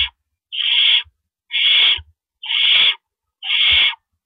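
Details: Owls at a nest in the dark of April 4, 2012, while rabbit prey arrives. Four regular, harsh hissing screeches about one second apart, with light low knocks at their ends.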